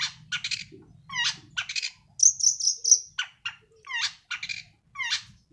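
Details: A young moulting long-tailed shrike, groomed as a future singing champion, delivers a 'sembur' phrase of scratchy falling chirps broken by a short run of piercing high whistles.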